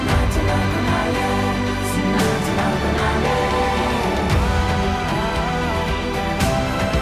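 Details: Loud orchestral soundtrack music with sustained chords and a deep bass, and no animal sounds.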